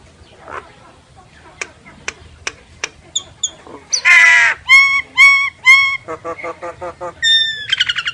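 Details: Myna calls used as a lure in bird surveys. Scattered dry ticks build into harsh, grating squawks, then clear whistled notes and a quick string of chattering clicks. The clip ends with high, ringing whistles.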